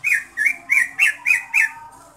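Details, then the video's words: Daily song of a prize-winning greater green leafbird: six rich, slurred whistled notes in quick succession, about three per second, with a fainter lower whistle trailing underneath. "Suara harian cucak ijo"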